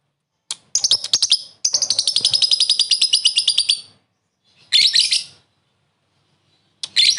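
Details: Lovebird giving a short ngekek laughing call to challenge a rival: a fast, shrill stuttering burst of high chirps lasting about three seconds, then two brief harsh squawks.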